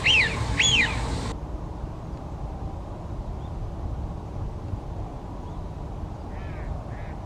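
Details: Eurasian wigeon giving two quick whistled calls that rise and fall at the very start, followed by faint distant calls and a low, steady background hum.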